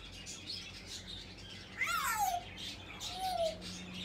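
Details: Talking African grey parrot calling "papa papa": two separate downward-sliding whistled utterances, the first louder and mid-way through, the second softer near the end, over a steady low hum.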